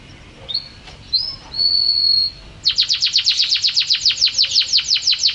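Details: Champion canary song opens with a few soft rising whistles and a sustained clear note, then breaks into a loud, rapid rolling trill of sharp repeated notes to the end.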